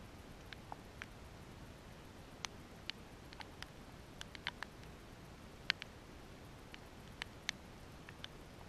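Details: Male northern cardinal in Concan, Texas, United States, 2016, giving sharp, metallic chips at an uneven pace, sometimes in quick pairs, over a soft background hiss.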